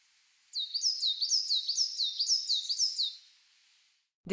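Coal Tit song: a quick, high two-note phrase, a falling note then a rising one, repeated about six times in under three seconds.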